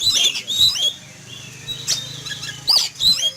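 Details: Oriental magpie-robin kept in a cage and sunned in a yard one morning, agitated at the sight of a flying eagle: short, sharp, high chattering bursts separated by quiet gaps, with a low hum beneath.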